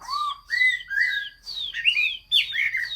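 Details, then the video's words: Loud Chinese hwamei song recorded 15 June 2021: a handful of strong, slurred whistled phrases, each rising then falling, delivered with short gaps between them. "Chim hoa mi hot xuy. Singsong bird very beautiful"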